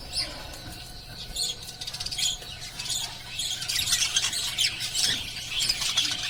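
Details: Pet lovebirds chatter in a flock, starting sparse and building into dense, scratchy high chirps and squawky notes that crowd the second half, over a low constant hum.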